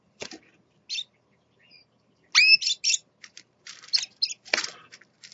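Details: Scarlet-chested parakeet, a father with chicks, making mixed high chirps and a clear rising whistled note, with soft rustling and scratchy noises around them.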